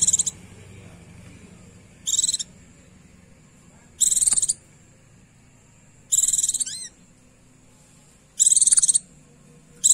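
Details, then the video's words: Female Oriental white-eye's calls for a male: five high, buzzy chattering bursts about every two seconds, one ending in a thin upward flick, over a low background hum. "Pleci betina memanggil jantan memancing bunyi pleci jantan"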